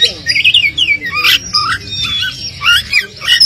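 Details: An Oriental magpie-robin lure recording, meant to provoke under-motivated birds into answering, pours out a rapid, varied song of clear whistles, slurred rising and falling notes and harsh squawky bursts, with no pauses.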